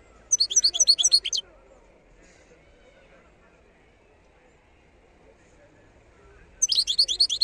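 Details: Wild European goldfinch song from 2022: two short bursts of fast, high twittering notes, one at the start and one at the end, separated by about five seconds of quiet background murmur.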